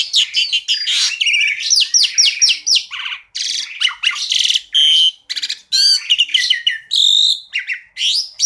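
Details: An Asian pied starling pours out a fast, varied song: clear rising whistles, harsh chatters and rattling bursts follow one another almost without pause.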